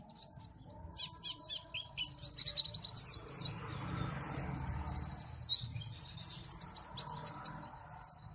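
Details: Pleci from Malang pouring out a busy, irregular high twitter: clusters of short ticks, sharp downward slurs and rapid chattering phrases with few pauses, background hum faint.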